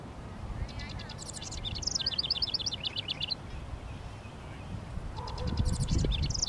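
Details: Territorial house wren singing on a sunny, 19 °C Mother's Day near a fenceside honeysuckle vine and bushes. A long, rapid jumble of high chattering notes and trills runs for about three seconds, and a second burst starts near the end over steady background noise.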